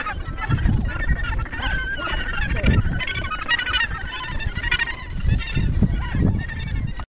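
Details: Australasian gannet (Morus serrator) breeding colony at Cape Kidnappers, New Zealand, with adults preening each other and chicks present: a dense chorus of harsh, grating, overlapping calls over a steady low rumble of wind and surf.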